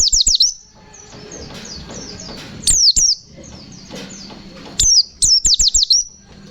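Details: White-eye in lively 'gacor fighter ngalas nembak' singing style. Three bursts of sharp, high, descending whistled notes, rapidly repeated, separated by pauses of faint low background noise.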